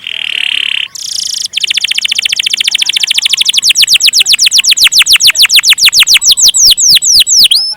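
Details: Canary singing a long roll: a flat buzzy note, then an accelerating-then-steady series of downward-sweeping notes that grow wider and slower toward the end.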